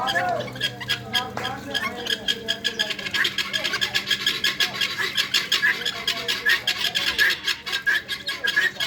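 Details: Farmed guinea fowl calling: a few softer broken notes at first, then a rapid run of harsh, rasping pulses repeated about four times a second, loud and steady to the end. Faint voices underneath.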